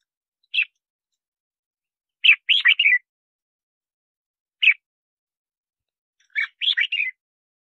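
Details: Red-whiskered bulbul song used to lure wild birds for trapping and to train captive birds' voices: a short sharp note, then a quick three-note warbled phrase, repeated twice with pauses, over a clean silent background.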